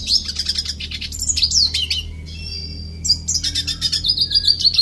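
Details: Red siskin in an aviary singing a rapid, high twittering song of buzzy trills and thin rising and falling whistles, with a brief pause midway and a low background hum.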